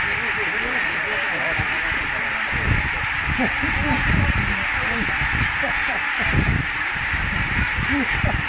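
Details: Some 17,000 barnacle geese flushed into the air by an attacking peregrine at Konnunsuo in Joutseno, Finland, 2012; a constant thick din of massed calls with scattered barking yelps and bursts of wingbeat-like rushing.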